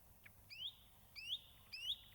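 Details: Nightingale giving three upward-sweeping whistles, each rising sharply and spaced about half a second apart, against a faint low background hum.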